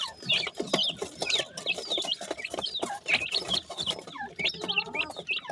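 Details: Baby partridges calling while fed, rapid high thin peeps from several chicks, dense and overlapping, with low clucking and pecking-like clicks throughout.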